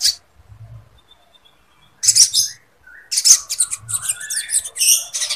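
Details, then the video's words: Lovebird-style chattering, used as a tutor recording for training birds and raising breeding readiness: a brief high chirp, a pause, then dense bursts of sharp, high, scratchy chirps and twitters running close together. "SOGON GACOR ISIAN LOVEBIRD COCOK UNTUK MASTERAN DAN MENINGKATKAN BIRAHI"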